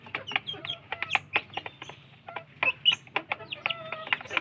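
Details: Several young village chickens scramble for food, giving short high cheeps and some level whistled notes in quick, uneven bursts, with sharp ticking sounds in between, likely pecking.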